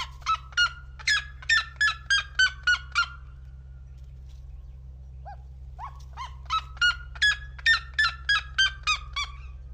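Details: Seriema calling in loud, rapid runs of ringing yelps about three per second, one burst, a silent gap with a couple of soft notes, then a second burst rising in strength, over a constant low hum.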